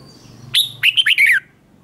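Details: Red-whiskered bulbul in a singing contest gives one lively phrase: a sharp opening note, then a quick run of warbled slurred notes.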